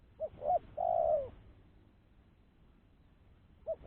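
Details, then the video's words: Spotted dove giving a clean lure call used to attract other doves: two short hooting notes then a longer, low, slightly falling coo, with the next phrase starting at the end. The background is quiet. "Suara Burung Tekukur-Pancingan Suara Tekukur Bersih"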